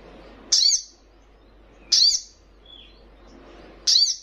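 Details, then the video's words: Young sunbird repeating a sharp, piercing high chirp three times at uneven intervals of about one and a half seconds, with a soft lower whistle heard once between the notes; otherwise quiet. "Sogon trotolan paling gacor"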